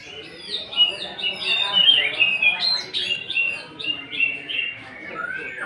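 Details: Greater green leafbird singing as a lure to provoke singing in other birds: a varied stream of whistled, slurred and chirping notes, moderately loud, with a quiet room in the background.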